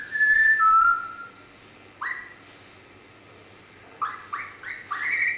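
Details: Grey parrot indoors giving clear whistles: a long, steady, slightly falling tone, then short upswept whistles that rise sharply, repeated in a quick run of four near the end.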